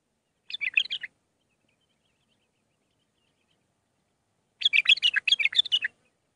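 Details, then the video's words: Bulbul singing Mandali-style phrases for tutoring young birds: a short chattering burst, a long pause, then a fuller stretch of fast, bubbly warbles for over a second. "للتخريج االمخاليف. مندلاوي ب6 لسانات طبك شدة ورد تكي حلو جيب ورد بنت الورد طياري"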